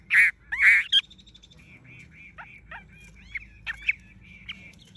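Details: Tame Chinese hwamei, yellow-legged and yellow-billed with golden plumage, gives two loud, rich whistled notes and a sharp chip, then a thinner, quieter series of level and slurred whistles.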